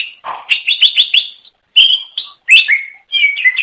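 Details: Cucak ijo chirping to lure others of its kind: a fast rattle of bright notes, then ringing whistles and sweeping slurred phrases separated by brief pauses.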